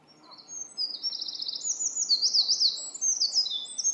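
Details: A Eurasian wren sings on 21 May 2017 in a dim spot, pouring out a loud, high, rapid song of tinkling notes and fast trills with no pauses, over a faint rural background.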